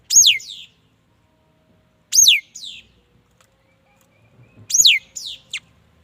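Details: Three loud, steeply falling whistles from a mi dat bird, spaced about two seconds apart, each trailed by a gentler downslur. The last ends in an extra short high note.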